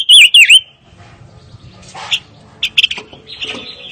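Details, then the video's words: Pancawarna, or five-coloured bird, singing: a few loud, clear whistled notes, each dipping and rising, open the clip, followed by fainter chirps and scattered clicks. "Kicau Burung Pancawarna Paling Dicari - Tiếng chim ngũ sắc"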